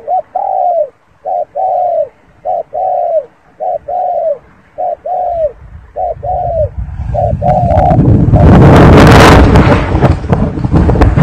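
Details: A spotted dove gives a steady series of long, falling coos, each about half a second long and repeated in quick succession. Loud rushing noise, like handling or wind, then drowns out the calls.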